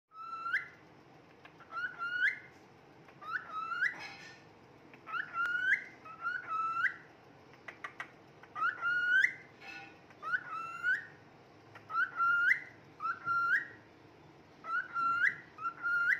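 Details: Happy pet male cockatiel (Nymphicus hollandicus) singing and whistling: a repeated rising, slurred phrase about every second and a half.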